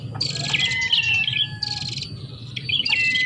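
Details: Lure sound of prinias used to draw birds in: bursts of high, rasping, buzzy trills alternating with thin rising whistles, repeated several times, over a soft low rumble.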